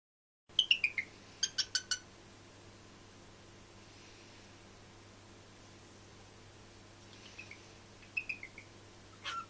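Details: A male pet cockatiel talking to himself in short, high, whistled syllables that slide downward, mimicking the spoken phrase "Hello Pip".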